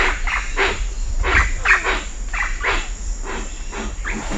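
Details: At Cocha Cashu, Manu, a Hoatzin gives rough grating calls, roughly three per second and unevenly spaced, with a few sliding notes from other birds over a continuous cicada whine.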